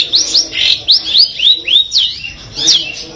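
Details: Madura-type long-tailed shrike with 'full Armagedon' material: a series of arching, rising then falling whistled notes, roughly two per second, with a brief pause before a final sharp downslurred note.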